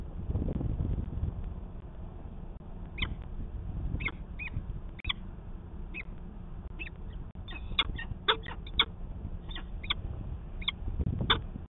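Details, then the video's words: Peregrine falcon at its Manchester, New Hampshire nest on 19 February 2020, in a pair conference. After a few quiet seconds of rumbling noise, scattered high notes build into a denser, excited run of calls. "Manchester, NH Peregrine Falcon - Conference with no angry Mom"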